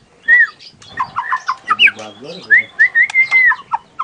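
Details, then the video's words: Young wild forest white-rumped shama (murai batu) in natural full tembakan song: clear whistled notes and slurred phrases, some rising and falling, broken by short bursts. Lower harmonic, voice-like sounds intrude mid-phrase. "FULL TEMBAKAN ALAM MURAI MUDA HUTAN"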